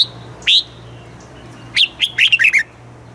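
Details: Red-whiskered bulbul song of the southern master style, played to teach chicks and rouse caged birds: an isolated sharp whistle, then a lively phrase of about six quick falling whistled notes.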